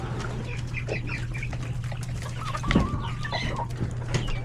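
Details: Chickens, roosters and chicks feeding at lunchtime in a coop: scattered high peeps, then a long wavering mid-pitched call stretching for about half a second near three seconds, plus clucks, a couple of thumps and a low hum.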